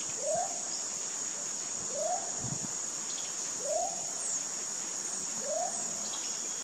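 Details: The Baudo Guan, endemic to Colombia, gives a low, rising-then-falling whistled note about every two seconds, over a steady high buzz of insects.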